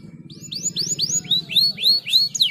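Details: Caged canary song meant to encourage singing: a steady string of sweet, upward-sweeping whistled notes, about four per second, rising in loudness, over a soft low-pitched background murmur.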